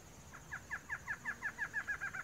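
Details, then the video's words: Male Barred Antshrike singing in the wild in Brazil: a quickening series of about a dozen short, nasal, repeated notes that rise in pitch slightly and run closer together toward the end, with a faint steady high hiss behind. "CHOCA-BARRADA (MACHO) - Cantando na Natureza - Barred Antshrike"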